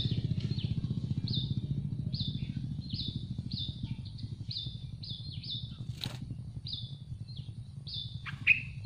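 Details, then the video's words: Yellow-vented bulbul nestlings in a tree nest begging for food: a string of brief high slurred squeaks, some doubled, roughly one per second, with a low droning rumble beneath and a sharp click near the end. "Hungry baby birds of Yellow vented bulbul begging for food in a nest on a tree"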